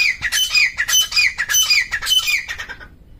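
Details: Grey francolin in jungle giving loud, harsh repeated calls, roughly two notes a second, ringing and slightly descending, then trailing off into quiet.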